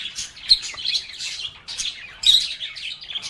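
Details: Chirping lovebirds sing and talk in quick, bright twittering phrases that overlap, rising into louder bursts of excited chatter every second or so.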